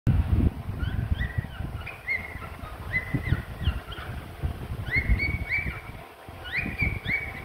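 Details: A pet cockatiel sings a tune of clear, rising slurred whistled notes with its eyes closed while playing with another bird, over low rumbling background noise.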